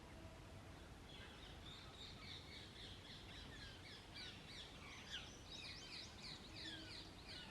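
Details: During the start of summer breeding season, paired Indian ringneck (rose-ringed) parakeets engaged in courtship, mating displays, courtship feeding and nest-hole upkeep give a rapid, overlapping run of shrill, screechy squawks, several birds calling at once, over a low rumble.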